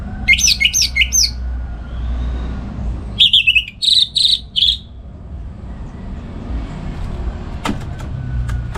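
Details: Morning song of a kept orange-headed thrush (anis merah) used as a tutor for other songbirds at home; quick whistled notes in two bursts, the second a series of clear repeated high whistles, then quiet room noise and a few clicks.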